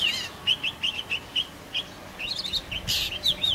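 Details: Juvenile black drongo repeating short, clipped chirps in a quick, even series, then a tight burst of higher twittering notes and a brief loud hiss.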